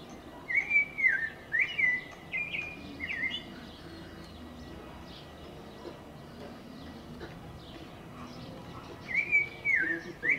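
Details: An American robin sings, caroling a quick string of clear, rising and falling whistled phrases for a few seconds, then a long pause and another burst, over a faint steady hiss.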